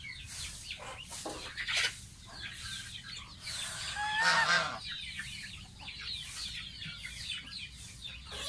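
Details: Baby pet goose having a bath, giving high, downward-sliding peeps in quick series, with one louder call near the middle and repeated splashing of water.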